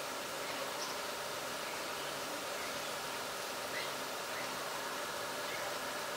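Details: Steady broadband hiss with a faint murmur like distant traffic or voices, with no animal calls.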